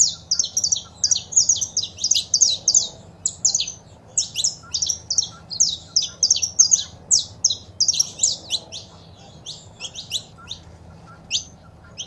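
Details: Saffron finch, male song and female calls, used to stimulate captive birds. Long stream of fast, high, staccato chirps that thins out toward the end into spaced single notes.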